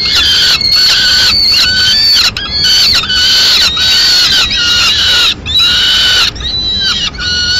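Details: Mid-morning feeding at a Madrid peregrine falcon nest as the female brings in leftover pigeon: strident, sustained wailing notes, repeated in long phrases broken by short pauses, steady and loud throughout.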